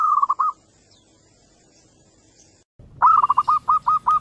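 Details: Local zebra doves answering one another, the calls used as a lure to set other doves calling. A few clipped coos fade out, then a louder run of about seven rapid staccato notes follows after a short gap.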